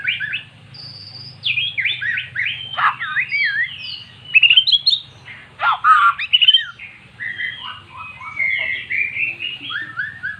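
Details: Caged magpie-robin that never sang, now singing after hearing recorded song: loud, varied whistles, steep falling sweeps, trills and warbled runs, broken by short gaps, with low hum in the background.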